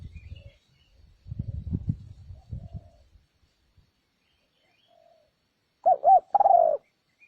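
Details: Lure recording of a spotted dove meant to attract wild birds: low rumbling handling noise at first, then after a pause a wavering double coo followed by a longer, gently falling coo.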